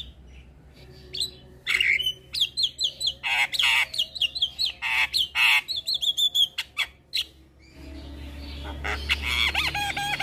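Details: Javan myna tutor and lure song, energetic and full of varied phrases: harsh squawks mixed with short whistles and chattering notes, followed by a stretch of rougher noisy sound near the end.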